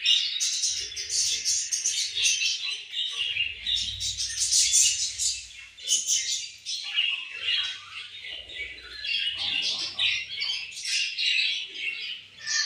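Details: Budgies feeding and having fun together, filling the air with continuous bright warbling chirps and squawks that pulse in quick, uneven bursts throughout.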